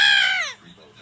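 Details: Pet yellow-naped amazon parrot at play with its owner, giving one loud, rich harmonic squawk that holds steady and then slides downward, ending after about half a second, followed by near silence.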